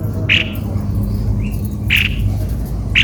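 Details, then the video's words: Cucak kopi-kopi uttering three sharp, rasping single notes spaced about a second apart against a constant low background hum. "Baru tahu!!!!!ternyata begini suara burung Cucak kopi - kopi"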